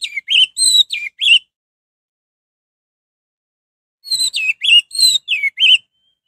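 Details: Orange-headed thrush singing to provoke others into song: two quick phrases of five or six sweet whistled, downslurred notes, about three seconds of silence between them, clean background.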